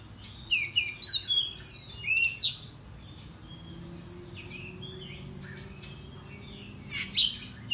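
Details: Oriental magpie-robin in morning song meant to provoke rival birds into singing; a quick run of high sharp notes and squeaky slurs, then a pause and a few faint notes before a final loud chip.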